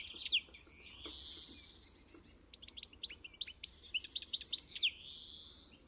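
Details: Pintassilgo song with a long rising buzzy slur, then a jumble of bright twittering notes and another drawn-out nasal buzz at the end.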